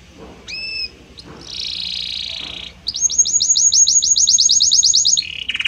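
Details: Belgian canary delivering a harmonious song: two clear slurred whistles, a broad buzzy hiss, then a quick series of about twenty sharp rising chirps, ending in a lower rattling note.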